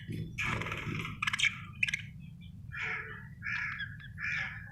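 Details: Pet budgerigar chirping happily: scratchy, buzzy bursts around the upper-middle range, a few short sharp clicks, then softer warbling chirps repeating about every half second, over a low steady background hum.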